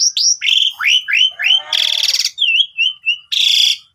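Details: Asian pied starling song used to lure other starlings: a run of looping whistled slurs dropping and rising in pitch, two loud harsh buzzy rasps, and short sliding whistles between them.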